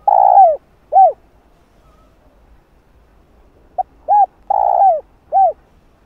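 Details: Spotted dove cooing on a lure recording used to stimulate wild doves, with calling coos, urging notes and soft coos; a long low arched coo, a short one, a pause of nearly three seconds, then a quick burst of four more arched coos.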